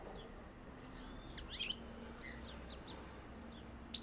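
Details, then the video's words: European goldfinch singing to encourage mating: a sharp high whistle, then a quick cluster of twittering, buzzy, slurred notes and scattered high chirps over steady background hiss and a faint low hum. "تغريد طائر حسون جميل للتحفيز على التزاوج"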